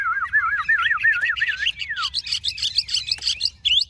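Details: Chinese hwamei, large-bodied, opens with a lower wavering, rolling warble, swoops down, then switches to a rapid series of high, bright repeated whistles.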